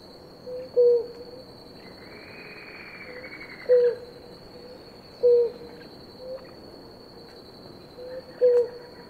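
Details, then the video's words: A pair of blue ground doves drinking water; short, low, level hooting notes repeated every two to three seconds, with softer hoots between, over a steady high insect whine and a brief faint higher bird note. "Casal de pararu-azul"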